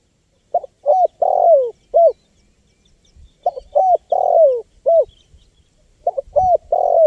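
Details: Spotted dove cooing used to attract wild birds; three phrases roughly every 2.5 seconds, each a few short hollow notes, one long falling coo and a final short note, with the surroundings otherwise quiet.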